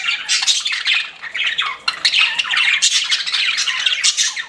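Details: Several pet budgerigars chattering: continuous fast twittering of harsh squawky notes mixed with short whistles, the mass of sound rising and falling.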